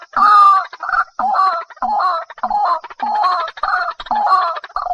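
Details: White-breasted waterhen giving a steady sequence of loud, rough, nasal croaks, about two each second, with no break.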